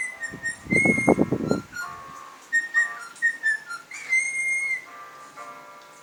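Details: Cockatiels enjoying an electric fan at home: a burst of low rattling noise at the start, then a string of short whistled notes, some rising, one longer sliding whistle near the middle, and steadier tones at the end.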